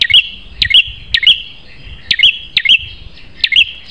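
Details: Prinia with a fierce, piercing song for tutoring: high clipped chirps, each starting with a sharp click, given singly and in pairs at irregular short intervals.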